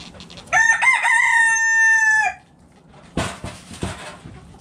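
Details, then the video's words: Backyard rooster crowing in a coop where chickens are eating: one long, loud, harmonic crow of about two seconds holding a steady pitch, followed by scratchy pecking and rustling noises. "Backyard Chickens Eating In The Coop! Hens Clucking Roosters Crowing"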